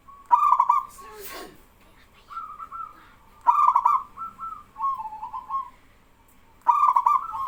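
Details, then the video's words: A local male zebra dove sings while young doves take up the call in reply. Repeated staccato bursts and bubbling coos overlap with answering phrases, and a brief swishing noise comes early on. "BURUNG PERKUTUT LOKAL JANTAN GACOR BIKIN PERKUTUT BAHAN IKUTAN BERSUARA"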